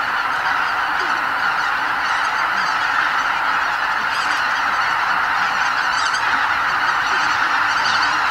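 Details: Greater white-fronted geese departing their night roost en masse before dawn at Lake Miyajimanuma, Bibai, Hokkaido, Japan, during a spring migration stopover, nearly 80,000 birds. A thick chorus of yelping honks carries on continuously with individual calls briefly standing out.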